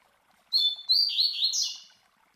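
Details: Master male double-collared seedeater (coleiro) singing the classic Tui Tui Zel Zel song, played to teach young birds: a clear high whistled note, then a rapid run of sweet, slurred, descending warbled phrases, loud and clean.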